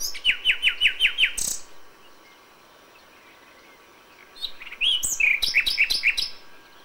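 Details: Dawn song of a common nightingale in May: six evenly spaced, falling whistled notes open the phrase, ending in a sharp burst; after a pause comes a mix of high chirps and quick repeated notes.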